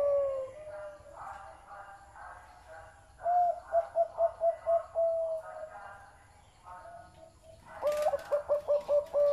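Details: Zebra dove with a big, deep voice, giving two bursts of rapid, staccato, mellow cooing notes, each run of about seven to eight short coos, separated by a quieter stretch of soft murmuring background sounds.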